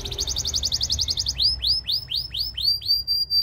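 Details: Belgian canary singing, used to train other canaries: a fast trill of repeated high notes, then a series of rising-then-falling swooping whistles about four per second, with a faint low hum beneath.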